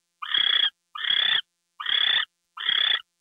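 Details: Owl calling at night during a gopher delivery, February 2, 2013, 10:43 PM: four harsh, hissing screeches, each about half a second long and about one per second, with silence between.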